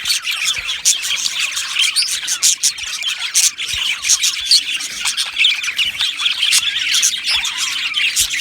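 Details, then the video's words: Australian budgie colony in an aviary, loud chirping and squawky chatter with sharp bursts every few moments over a constant bed of high, fast twitter from many birds. "Beautiful Budgies Birds Singing and Chirping Sounds"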